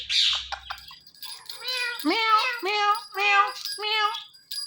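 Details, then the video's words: Pet parrot that talks and dances delivers several harsh, nasal meow imitations, each with a downward-bending tail, after a brief breathy hiss at the start. "Parrot Speaking"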